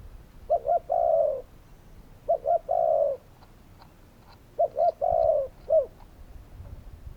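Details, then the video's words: Spotted dove calling three times, each phrase two quick coos followed by a long, slightly falling coo, the last phrase ending with an extra short note; quiet background. "Spotted doves calling!"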